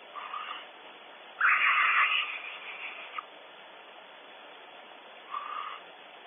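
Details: At a California nest cavity, a barn owl reacts to an unwelcome visitor at Audubon Starr Ranch: a brief rasp, then a loud, grating, noisy screech lasting about a second, ending with a click, and a last short rasping note.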